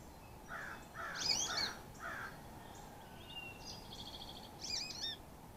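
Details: Carolina chickadee at a sunflower-seed feeder in the Great Smoky Mountains, calling as it arrives or leaves: a run of harsh, buzzy, mid-pitched notes, then brief high thin chips and a short twittering burst near the end.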